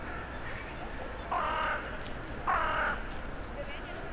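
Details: Crow in the middle of town calling on a January evening as others come in for the night: two loud hoarse caws a little over a second apart, with background traffic rumble.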